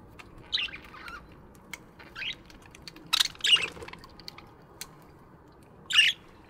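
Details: Budgerigars chirping in an aviary in the morning: scattered short, bright chirps and squeaks, some paired, spaced irregularly over a quiet background with faint clicks.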